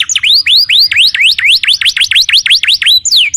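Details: Canary tutor song for training other birds, a run of swooping whistles that dip and rise, repeated rhythmically about four times a second.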